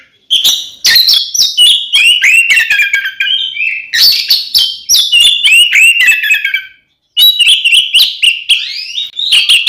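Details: Oriental magpie-robin delivering a long, fast fighting song used to provoke rival magpie-robins, a near-continuous medley of shrill whistles and rasping notes, broken by one short pause before the outpouring resumes.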